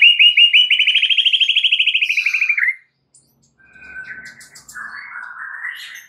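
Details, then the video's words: Used to provoke other shamas into song and enrich their repertoire, a White-rumped shama gives a loud fast trill of about twenty even notes that slowly rises, then quieter scratchy whistled phrases after a short silence. "PANCINGAN Murai batu untuk MEMIKAT murai lain AGAR GACOR dan TAMBAH ISIAN"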